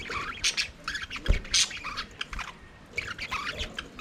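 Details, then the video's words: Budgerigars singing and playing in an aviary: bursts of busy, scratchy chirping and squawky chatter in quick irregular runs, with pauses between flurries and a soft thud in the background. "Budgies singing and playing in their Aviary"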